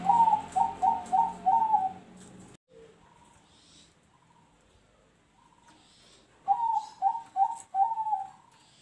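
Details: Zebra dove (perkutut) singing in the noklak nekung style: two bursts of rapid, repeated cooing notes about a third of a second apart, with a quieter pause of soft scattered coos between them.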